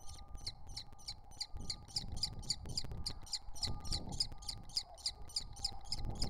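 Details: Three wild common kestrel nestlings at the nest entrance give sharp, high, scratchy notes, about three to four a second, in a steady run, over a faint low hum.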